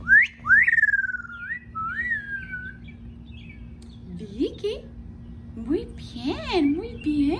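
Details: Amazon parrot at home, excited over its owner, gives clear rising-then-falling whistles, then lower, speech-like warbling phrases mixed with squeaky notes; faint household hum behind.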